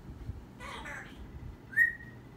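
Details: Pet parrot vocalizing: a brief raspy, voice-like burst followed by a short clear whistle that rises and then levels off, over a low background hum.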